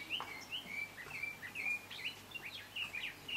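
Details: Speckled mousebird, subspecies kiwuensis, recorded at Kibuye, Rwanda, in March 2013: a series of short, sharp, bright chirping notes, some rising and slurred, repeated rapidly and irregularly, with a soft low hum behind.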